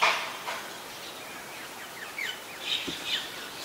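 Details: White-vented myna recorded in Ubon Ratchathani, Thailand, on 21 October 2021: a few short, sharp chirps and brief rising whistled notes scattered over a steady hiss of outdoor background noise.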